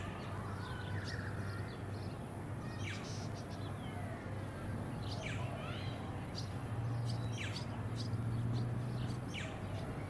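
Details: Welcome swallow (Hirundo neoxena) on the Sunshine Coast, Queensland, in October 2022, giving quick, thin, high chirps and twitters, scattered irregularly, over a steady low rumble of background noise.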